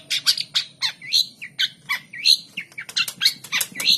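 Long-tailed shrike giving a fast run of harsh, scratchy chattering notes, three or four a second, mixed with short high whistles.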